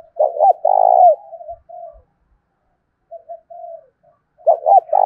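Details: Lure spotted dove cooing to stir rival doves, 'thổ' voice style. A double note leads into a long throaty coo, then a pause of soft murmurs before the next phrase begins.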